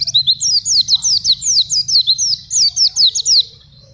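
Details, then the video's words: Wild-type Oriental white-eye fed on banana, singing actively, for tutoring young birds or luring wild ones: a rapid run of about sixteen high, slurred, down-swept chirps over three and a half seconds above a faint low hum. "Pleci Gacor"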